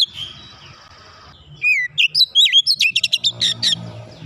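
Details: Oriental magpie-robin delivering dense 'nembak rapat' song, meant to get an untrained bird singing quickly: a faint start, then clear downslurred whistles giving way to a fast run of clipped, stuttering notes, over low hum.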